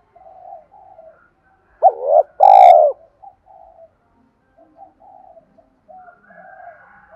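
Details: Spotted dove 'thúc' coo, a call for provoking wild doves: one loud two-part phrase, a clipped note then a drawn-out mellow coo, set among quiet scattered cooing murmurs.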